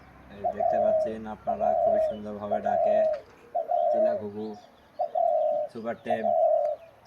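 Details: Super-tame captive dove calling in the 'jhumur' style: steady, smooth coos repeated about once a second, while a man talks over several of them and faint bird chirps sound behind.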